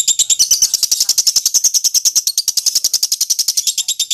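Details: Lovebird champion singing for contest mastering, producing a loud, dense, rapid chatter of harsh high notes sustained over four seconds.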